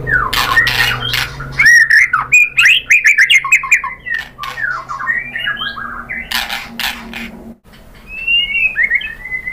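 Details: White-rumped shama song for luring other birds into singing: loud warbling phrases with twisting whistles and sharp clicks, then softer scattered notes and a final pair of slurred whistles.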